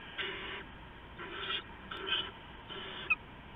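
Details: Nest of owls at night, 15 November 2015, as an adult delivers rats to owlets; soft, breathy rasping hisses in four spaced bursts, with a sharp click near the end.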